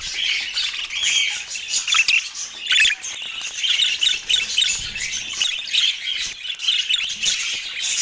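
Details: Autumn morning feeding of a pet parakeet: steady high chatter of scratchy chirps and squeaks running without a break, with a few louder squawks.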